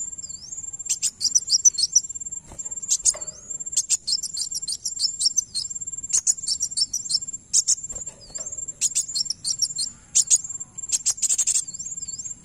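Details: Van Hasselt's sunbird song played to make another bird answer: long sequence of phrases of fast, needle-thin high chips and twitters, each a second or so long, alternating with short gaps carrying a steady high tone and small curling whistles.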